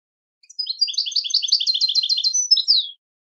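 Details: European goldfinch delivering a twittering song phrase of evenly repeated chirps for over two seconds, closing with a descending buzzy slur.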